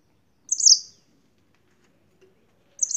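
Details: Brief high chirped phrases from a yellow-fronted canary from Spain, one early and another starting at the very end, with silence between.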